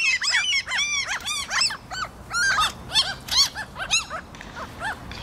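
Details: Excited flock of mostly common gulls that have just been fed, Helsinki, Finland, June 2013. Black-headed gulls and a lesser black-backed gull are also present. Overlapping arched, yelping cries come in rapid bursts, then thin out towards the end.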